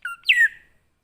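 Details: Greater green leafbird, forest-style lure song. A single phrase: a low whistle, then a brighter rising, wavering note that fades out.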